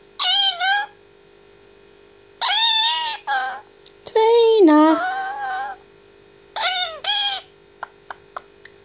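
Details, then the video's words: Eighteen-month-old grey parrot indoors talking and singing: clusters of harmonic word-like syllables, one long note sliding downward, then paired syllables and a few faint clicks near the end. "Indy talking 18mths old"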